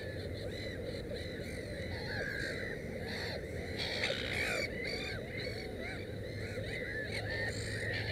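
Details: Black-headed gull at its nest with three chicks, amid a noisy colony: many overlapping short harsh downslurred calls, cries rising and falling in quick succession over a steady low rumble of background noise.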